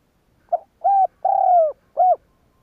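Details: A single spotted dove phrase meant to stir other doves into cooing: a short clipped note, then three round mellow coos, the drawn-out middle coo falling gently in pitch before a final shorter one.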